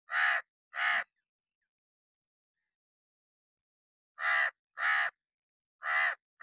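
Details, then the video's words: Hooded crow perched on wood during summer rain, cawing harshly: two rasping caws, a pause of about three seconds, then four more in quick succession. "crow cawing sound effects"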